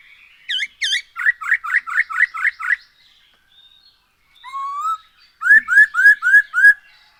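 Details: Black-throated laughingthrush singing vigorously, used as a lure to get other birds singing: two high looping notes, a run of six loud slurred whistles, a rising whistle, then five more bright falling whistles.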